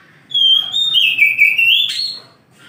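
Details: Kacer, the oriental magpie-robin, in morning song: one long, pure, high whistle that wavers and drifts lower, ending in a sharp upward-flicked note, then quiet.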